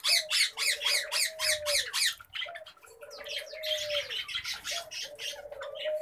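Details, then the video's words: Pet common babblers giving harsh, squeaky chattering bursts in rapid repeated series, strongest in the first two seconds, over a steady low tonal hum that bends slightly at the ends. "PET Common Babblers"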